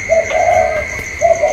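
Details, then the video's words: Spotted dove, 'cu còi' style, in a calling contest between a caged bird and a wild one, 27 October 2022; a brief note followed by a drawn-out soft coo, then another begins, over a steady high tone. "chim cu còi trong đấu với thổ ngoài"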